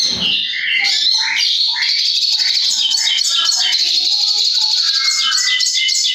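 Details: White-rumped shama, called konslet, pouring out a loud dense stream of varied whistles and rapid twittering notes, sliding between high and middle pitches without pause.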